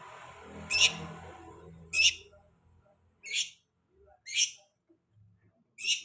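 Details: Long-tailed shrike, played to prompt singing after the moult: five separate harsh, buzzy chirps roughly one to one and a half seconds apart, with soft rumbling noise at the start.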